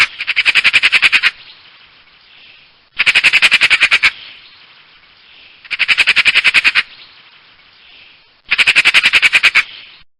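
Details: Four loud bursts of a magpie's dry, machine-gun-like rattle come roughly every three seconds, each a fast run of harsh, evenly spaced notes fading into a soft hiss between bursts.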